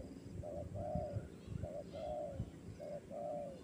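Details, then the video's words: Spotted dove of the fighter type at a training session, cooing a short note followed by a longer, arched, mellow coo, the pair repeated three times over a low rumbling background. "sesi latihan terkukur fighter"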